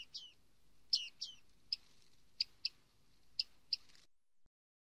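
Bearded reedling giving about eight high, metallic 'ping' notes, the first few slurred downward, spaced irregularly over four seconds against a faint background hiss.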